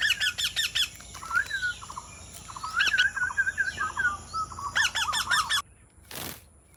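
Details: Indian Ringneck parrot giving harsh, harmonic-rich screeches in rapid bursts of four to five near the start, around three seconds and near five seconds, with softer chirping notes between them, followed by a brief noise burst at the end.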